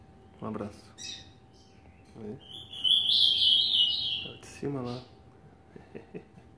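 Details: Captive eight-month-old male rusty-collared seedeater gives a quick, bright burst of high trilled song lasting about a second and a half, while a man talks before and after and a constant hum runs through.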